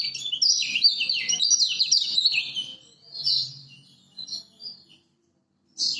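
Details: High, rapid twittering song of a Lombok lemon-bellied white-eye, used as master song to stir silent birds to sing. A dense run of chirps fades into a few separate short notes, then a gap and a last burst.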